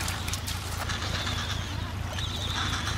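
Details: Adélie penguins at a breeding colony of about 150,000 pairs on Paulet Island, Antarctica, 1 February 2019; harsh, nasal, overlapping calls with a wavering high tone near the end, over steady low rumble and dense colony chatter.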